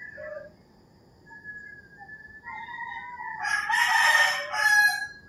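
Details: Early-morning crowing from roosters in rural Philippines. Faraway crows overlap before a near rooster delivers a loud, harsh crow that swells and then breaks into a final rising note.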